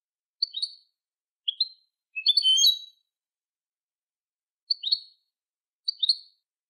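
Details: European goldfinch song for teaching young goldfinches: clipped high chirps spaced about a second apart, with one fuller tinkling phrase in the middle, in an otherwise quiet recording.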